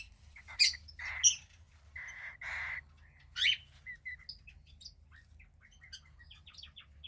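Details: A 15-day-old cockatiel chick, gray with a little white near the wings, makes short raspy hissing bursts and piercing chirps, then a string of soft, scattered high peeps.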